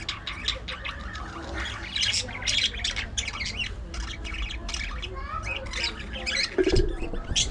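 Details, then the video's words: Pet budgerigars playing, squabbling and grooming together, giving dense rapid warbling chatter with scratchy squawks and chirps throughout, several birds calling over one another. "Budgies Unfiltered! Love, Fights, Fun & Chatter All Day Long"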